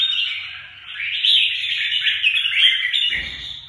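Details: Red-whiskered bulbul singing a continuous, warbled, slightly slurred phrase that stays mid-high and steady for about three seconds before stopping.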